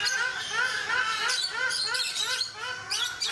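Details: Ruddy shelduck, also called Brahminy duck, a waterbird calling at Mysore Zoo: a rapid chain of nasal, arched honking notes with rich overtones, overlapping and repeated about three times a second, over busy high chirping from other birds.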